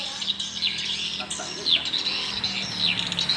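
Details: A small swiftlet house at evening, where swiftlets give high, thin chirps and quick down-slurred squeaks, scattered irregularly over a soft background hum.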